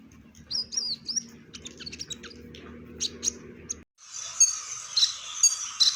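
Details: Brown-breasted olive-backed sunbird in full, varied song: thin high twittering notes, then an abrupt cut to denser, buzzy chirping with repeated bright high notes.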